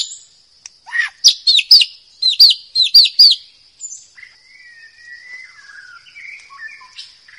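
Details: A wild forest White-rumped shama sings a loud burst of sharp, ringing notes in quick groups, then softer sliding whistles, over a steady high-pitched whine.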